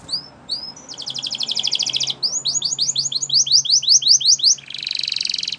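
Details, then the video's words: Champion training song of a Spanish Timbrado canary: a few upslurred whistles, then a dense metallic trill, a run of rising swept notes, and a closing buzzy rattle. "Canary Training Champion Song"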